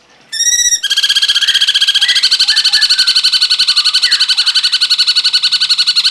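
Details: Cungkok song used for training cage birds: a long, steady, machine-gun trill of rapid ringing notes fills nearly six seconds, with faint softer warbling notes from another bird underneath.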